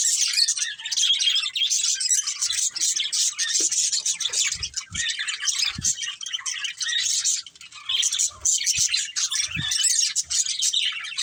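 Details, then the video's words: Budgerigars in a family flock keep up a steady stream of shrill, grating chirps and chattering squawks, with occasional soft knocks and taps in the background. "Cute Budgies Chirping Sounds"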